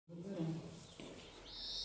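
European greenfinch giving a drawn-out, high, nasal note that rises briefly then holds steady, after a low voice-like murmur.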